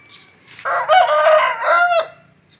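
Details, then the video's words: Rooster crowing: one loud, harsh crow with rich harmonics, rising into a sustained middle section and ending abruptly after about a second and a half, with a quiet background. "Ayam Jantan Berkokok | Suara Ayam berkokok"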